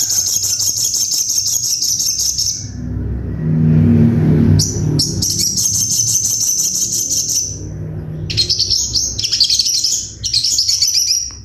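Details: Crimson Sunbird (sogon) masteran tutor song of sharp 'tembakan': long, very high, rapid rattling trills, broken midway by a lower rumbling noise, then choppy high trilled bursts resuming to the end.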